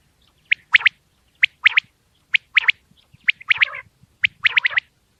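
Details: A white-feathered quail calling at night, a sharp three-part phrase of one short clipped note then a quick liquid pair, repeated about once a second over faint low rumble.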